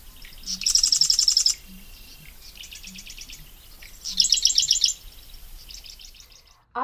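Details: Marsh Wren, a bird of dense cattail and rush marshes present in Canada only in the breeding season, singing a variable warble: two bursts of rapid, buzzy, rattling trills with softer chattering between.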